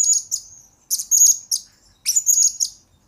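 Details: Blue-crowned hanging parrot master song for training birds and luring: three fast clusters of piercing high, buzzy trills with sharp chirp notes, each about half a second to a second long.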